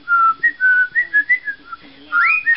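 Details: Pet parrot, a male, attempting the last line of "Pop Goes the Weasel" and getting it wrong: pure whistled notes in a bouncing melody, several short steps, then a loud swooping rise near the end.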